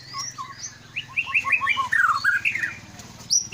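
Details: White-rumped shama of the Aceh Leuser line, a caged contest bird known for fighting spirit, singing a quick series of rising whistled notes about three per second, ending in a high squeal.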